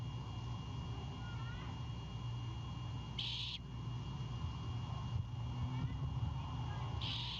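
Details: Nest-cam recording in Savannah at 21:36 on 26 March 2022: a great horned owl owlet, defending prey its father just delivered, gives two harsh hissing bursts about four seconds apart over steady low background hum.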